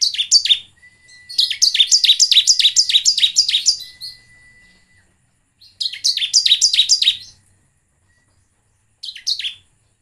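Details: Bar-winged prinia song used to lure birds into singing: a loud chirp, then a long run of about ten sharp downslurred notes, a pause, another shorter series, and a final brief burst, with a thin steady tone in the background.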